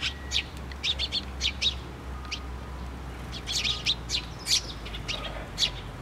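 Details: Sparrows gather at a feeder on a post at a Tenmangu shrine on 24 June 2023, giving short bright chirps in loose bursts, several overlapping around the middle, over a low steady hum.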